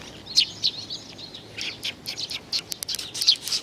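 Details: Feeding-time sparrows on 15 May 2019 chirp in a jumble of high notes, a few clear calls at the start giving way to a denser, overlapping flurry.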